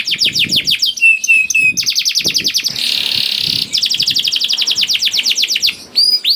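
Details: Lively canary song meant to lure slow-singing canaries into joining in: a rapid trill, a few steady whistled notes, a dense buzzy stretch, then another quick chattering trill ending in rising whistles.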